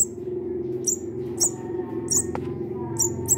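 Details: Munia taken in from behind a home and fed by hand, begging for food: thin, high-pitched chirps spaced irregularly, partly masked by a constant low droning hum and a soft click.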